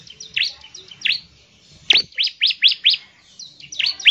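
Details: Bar-winged prinia, known locally as ciblek, singing loudly and energetically in a fast volley used to coax other prinias into song: sharp downslurred chips repeated in quick bursts, with a clean background.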